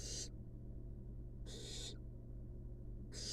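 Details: Sleepy wild barn owl nestlings in a research nest box make three harsh hissing breaths, about one and a half seconds apart, over a low constant hum.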